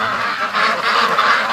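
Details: Many free-range ducks heading into their pen after the lake, giving a brief burst of crowded, nasal quacking and honking.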